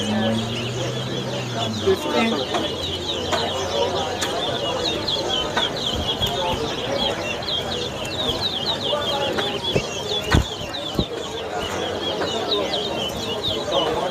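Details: Towa towa in a 2023 whistling competition at Lusignan bird ground, Guyana, delivering long runs of fast, sweet twittering whistles, broken by clicks and knocks, with people talking nearby and a brief low tone at the start.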